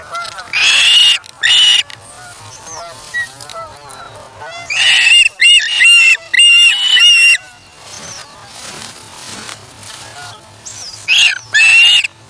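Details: Shrill whistled calls from an osprey chick at the Charlo nest, August 3, 2017, as it takes fish from its parent and feeds itself; loud clusters of notes alternate with quieter stretches of softer calling.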